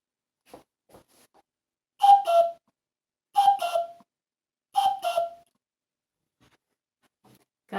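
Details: Common cuckoo played back for a children's bird-guessing game, the answer called very easy: three paired 'cu-coo' calls, each a higher note dropping to a lower one, spaced about 1.4 seconds apart, with faint clicks between.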